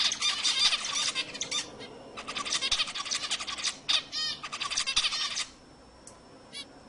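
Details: Zebra finch song meant to excite other birds: bursts of fast, harsh, buzzy chatter with a few clearer squeaky notes, fading into faint background hiss near the end.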